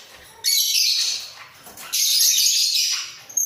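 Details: Pair of caged budgerigars bobbing their heads while singing: two loud bursts of scratchy, high warble with squawky edges, separated by a short, quieter gap.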